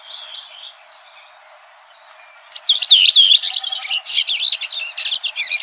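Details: Red-throated thrush singing in nature; soft background murmur gives way to an energetic, high chattering warble of rapid mixed twitters and squeaks that continues to the end.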